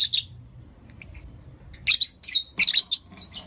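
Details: Blue Opaline and Lutino Opaline lovebirds in the morning, a few soft high peeps, then a run of loud, scratchy shrill chirps packed closely together.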